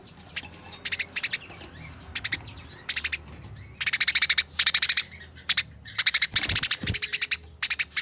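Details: Eurasian tree sparrows in a fight: short, rapid clusters of coarse chirps come in quick succession, building into longer chattering runs, with a brief knock near the end over a quiet hum.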